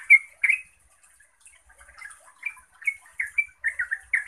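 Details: Yellow-vented bulbul singing to make other bulbuls answer and sing: bubbly, chattering notes, a few loud chirps, then a quickening run of short warbled phrases near the end.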